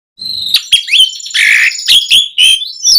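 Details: Asian pied starling in full, lively song, used to lure other starlings into replying: a loud, varied run of short whistled notes, upward slurs and a harsh, noisy burst, delivered at a quick, uneven pace with a faint low hum at the start.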